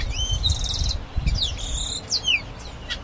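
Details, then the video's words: Grayish baywing singing a dense, fast phrase: a buzzy trill followed by quick liquid downslurred and upslurred whistles, with low background rumble. "O Canto do ASA DE TELHA (Agelaioides Badius) Bird Song - Grayish Baywing"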